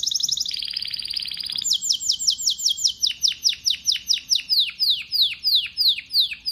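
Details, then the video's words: Male pet canary singing: a fast high buzzy trill dropping to a lower rolling trill, then a long series of loud downslurred whistled notes repeated about three times per second. "Canary Singing birds sounds at its best | Melodies Canary Bird song"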